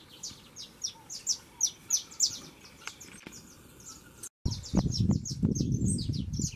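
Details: Young saffron finch singing plenty: rhythmic, high, down-slurred chirps repeated about three per second. After a short cut, the song continues over heavy low rumbling noise.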